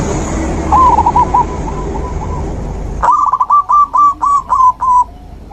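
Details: Zebra dove song used to stimulate a silent dove into singing again; a faint distant phrase, then a loud close run of about eight staccato, bubbling coo notes in quick succession over low background noise.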